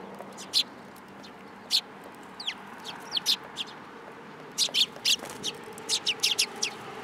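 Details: At Tenmangu shrine on 8 July 2022, sparrows coming onto a person's hand give isolated high chirps and a thin, sliding note, followed by a denser cluster of tweets.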